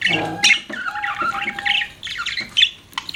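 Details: Pet budgies chattering in squawky chirps and warbles, with a low, even tone held through the middle and a few sharp squeaks toward the end.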